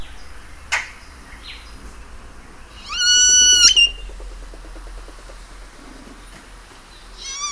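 Great-tailed Grackle: a sharp chip, then a loud, strained, rising whistle held about a second over rapid dry clicks, with a brief rising note at the end.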